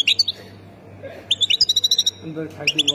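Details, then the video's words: Algerian European goldfinch, Khemis Miliana sector from Ain Defla province, giving a few sharp twitters, a pause, then a quick evenly spaced series of bright, liquid high notes; a soft hum and faint murmuring underneath. "مقنين سكتور خميس مليانة ولاية عين الدفلى"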